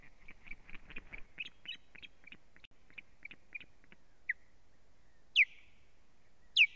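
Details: Osprey at the nest on 1 May 2017, as strange ospreys attack the female on a live nest camera: a rapid, uneven run of short high chips gives way to a few loud, steeply falling whistles.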